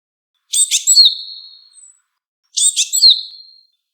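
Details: Wild Japanese tit giving two calls about two seconds apart, each a quick cluster of sharp high chirps trailing into a long, thin, level whistle that fades out; nothing else audible.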